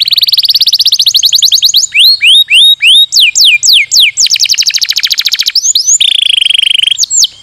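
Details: Canary lure song to make sluggish canaries sing: a fast rolling trill, then evenly spaced downslurred whistles, another rapid trill and a steady buzzy tone.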